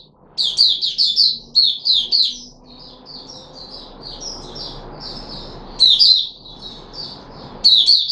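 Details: Red-whiskered bulbul (Puteh Raja), kept bird, 13 April 2021, after a feeding trial with fruit juice and a mealworm. A loud run of rapid bright notes opens, followed by a long softer warbling twitter and two more loud bursts.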